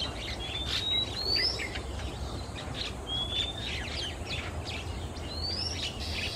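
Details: Male Oriental Magpie-robin singing during a quiet afternoon in Singapore. Three high, upward-sliding whistles spaced about two seconds apart, with soft chips and a steady noisy background.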